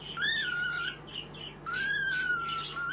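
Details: Baby cockatiel calling indoors: two long whistled calls that rise then level off and fall slightly, with a short pause between, over a steady low electrical hum.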